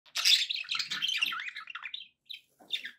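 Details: Pet budgies making happy sounds: a burst of scratchy warbling chatter with quick chirps and squeaky notes, pausing, then short chirps.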